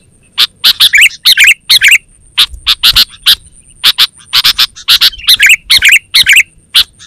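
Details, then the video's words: Sooty-headed bulbul (kutilang) in chatty 'gacor' voice, meant for luring wild birds and tutoring caged ones; rapid, uneven run of sharp chirps about twice a second, mixed with brief gurgling warbles, over a faint high hum. "Suara Burung KUTILANG GACOR Terbaik Untuk Panggilan dan Masteran"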